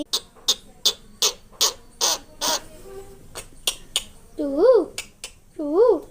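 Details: A talking myna makes a run of sharp clicks and harsh chattering notes, then two rising-and-falling whistled calls, like mimicked speech.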